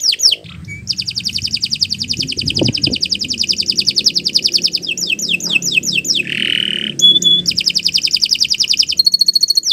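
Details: Canary singing as a master for other birds, with long fast trills, a few falling sweeps, a harsh buzzy note and pure whistles, over a faint low background rumble.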